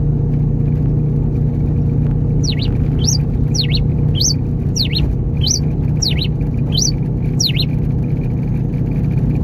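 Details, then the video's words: Caged rufous-collared sparrow of the grey king type, in moult, singing inside a car: eight sharp high upslurred notes repeated about every half second over loud steady engine rumble. "TICO TICO REI CINZA CANTO 21 PURO COMPASSADO NO CARRO!!!"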